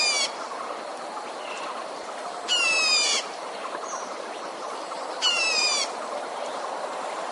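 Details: Decoy red-whiskered bulbul used to lure wild birds into traps. Rasping, buzzy bursts with layered bands sloping slightly downward, about half a second each, repeated roughly every two and a half seconds against constant background hiss.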